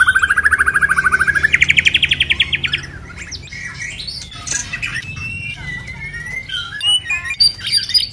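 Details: White-rumped shama, moulting, singing in the style locally called pulling Lao tobacco: a fast rapid-pulsed trill rising in steps for about three seconds, then softer scattered whistled notes and chips.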